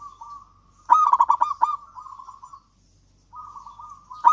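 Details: Local Javanese zebra dove song, used as a lure to make lazy doves sing: soft rolling trill near one pitch, then a loud burst of rapid staccato cooing notes, a fading trill, a pause, and another trill ending in a sharp note.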